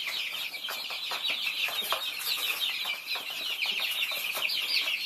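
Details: Baby Thai chicks eating, a steady mass of high, sharp peeps from many birds overlapping, with regular tapping of beaks against food.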